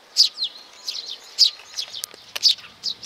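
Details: Sparrows that come to be fed, 15 May 2019: strong, shrill chirps with quieter twittering between them, a few sharp clicks around the middle.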